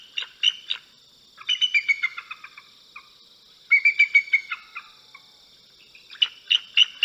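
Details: Bald eagle producing thin, squeaky, rapid-fire notes in several clustered bursts, some runs stuttering and descending, separated by silent gaps of about a second.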